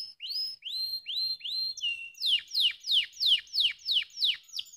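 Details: Canary song meant to stimulate lazy birds into singing: several upslurred whistles, then a rhythmic run of bright, downward-sweeping notes repeated about three times a second.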